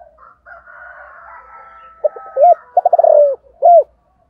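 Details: Morning cooing of a spotted dove of the 'giọng thổ' voice type: after faint whistled notes from other birds, a short hollow coo, a rapid stammer of notes merging into a drawn-out croo, then one last rounded coo.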